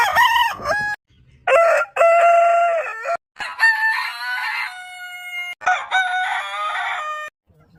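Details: Roosters crowing repeatedly: a short opening crow, then several long harmonic crows with stepped starts and steady held notes, overlapping slightly and trailing off near the end.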